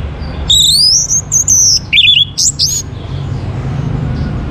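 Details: Orange-headed thrush (Geokichla citrina), a caged bird from Bali, sings to draw other birds into song: a long rising whistle, then rapid slurred notes, rattles and sweeps for over two seconds, with low background hum.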